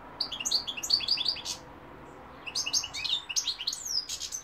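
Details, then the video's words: European goldfinch singing two twittering phrases of quick high liquid chirps, separated by a short pause, the second phrase ending in a thin upslurred whistle. "goldfinch p throat sign 2021 مقنين الحسون"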